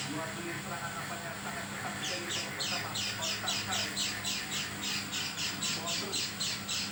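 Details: Oriental white-eye giving an unusual call. Two seconds of quiet rustling come first, then a quick, regular series of rasping high chips, about four each second, continuing to the end.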